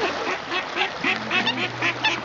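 Eurasian coots give harsh, nasal, quacking calls in rapid bursts about every quarter second during a territorial fight, with a low steady hum beneath.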